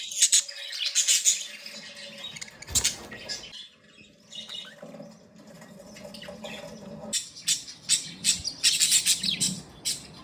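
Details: Playing budgerigars chatter in bursts of high chirps and squawks, with a quieter stretch in the middle where a steady low hum and a faint trickle are heard.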